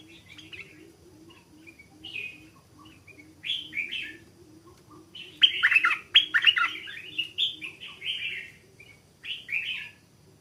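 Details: Stripe-throated Bulbul, a caged wild bird in training, beginning to sing with a doubled phrase, still holding back its full voice. Scattered short whistles build into a rich warbling burst midway. A soft, low repeated note runs beneath.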